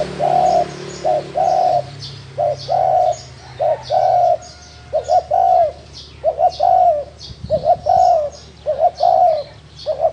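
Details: Wild spotted dove calling repeatedly: mellow hooted phrases of short stuttered notes and a longer level coo, given in quick succession throughout, with soft high chirping from other birds behind.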